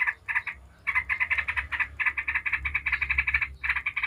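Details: Lure song of a Yellow-vented bulbul, 'ngebren' style, intended to provoke other bulbuls into singing: a brief opening note pair, a pause, then a long unbroken string of fast bubbling notes over faint low hum.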